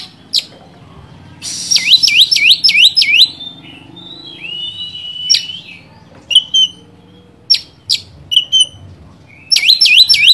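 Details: Oriental magpie-robin in full song as a lure to quickly stir up a rival: rapid runs of swooping V-shaped whistles, long steady whistled phrases and scattered sharp chips, ending with another fast swooping run.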